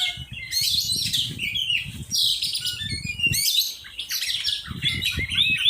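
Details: Oriental magpie-robin in training, singing busy runs of chirps, buzzy notes and short whistles in several bursts, with low knocking and rustling sounds throughout.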